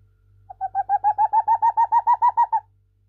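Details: Old captive boreal owl, blind in both eyes, singing at night indoors in an apartment in response to croaking tree frogs: a rapid, even run of about fourteen soft hollow hoots in two seconds, rising slightly, over faint low hum.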